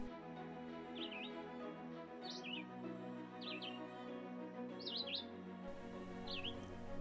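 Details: Cooper's hawk chicks, about a week old, on a nest of four chicks 50 feet up a pine tree in spring woodland, fed by their parents. They give thin, high, squeaky calls with a quick up-down twist, about five in seven seconds, over background music.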